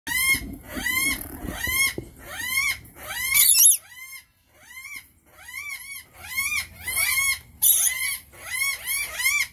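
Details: Rainbow lorikeet giving a series of harsh, arching calls, each rising then falling, repeated roughly every second with short pauses; two brief scratchy bursts break in near the middle and end.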